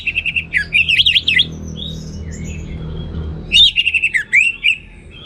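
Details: Clear, loud song of an orange-headed thrush in the 'teler' style: rapid trilled and warbling whistles, a short pause with faint notes, then another run of fluttering, descending whistled phrases.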